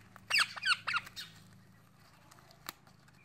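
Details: A pet male Indian ringneck parakeet calling his mates together: four or five harsh, harmonic squawks in quick succession over about a second, then near quiet with a low steady hum and one faint click.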